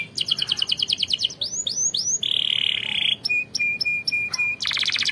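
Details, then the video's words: Canary song for training other canaries to sing: fast high trills, a run of rising swept whistles, a long sustained buzzy roll, then evenly spaced piercing notes ending in a dense rapid trill, over constant background hiss. "Canary 's most powerful song bird singing training"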